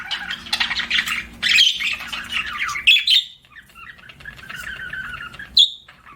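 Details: Pet budgerigar chirping: a busy, warbling chatter of high scratchy notes and squeaks in uneven bursts, with brief pauses and a sharp squeak near the end.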